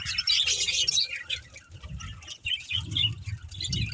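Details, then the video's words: Budgies chattering in quick bursts of bright, twittering chirps, about three per second, with uneven spacing and a low rumbling bump near the end. "Beautiful Budgies Chirping Sounds"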